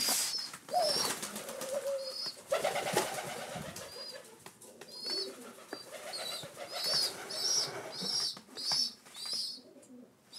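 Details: Rescued rock pigeon chicks on their seventh day in care, waiting for breakfast: high thin squeaky peeps in quick, irregular bursts, with a lower wavering tone and background rustling throughout.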